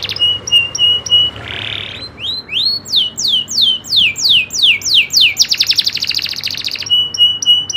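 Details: Loper-style singing from a local canary, shooting and rolling: flat high pips, a harsh buzz, a chain of descending whistles, a burst of very rapid rolling notes, then more clipped pips.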